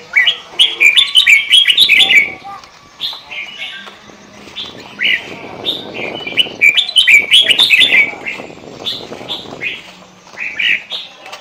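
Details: Kutilang (sooty-headed bulbul) delivering continuous pikat gacor lure song: dense runs of quick, bubbling notes, then scattered single whistles, then another rapid burst. A low rumbling noise sits underneath the middle section.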